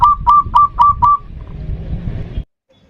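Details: Zebra dove, local bird, in a lure song of the 'ndudut' variation meant to provoke a rival. Five quick rolling coos followed by low rumbling background noise and then silence.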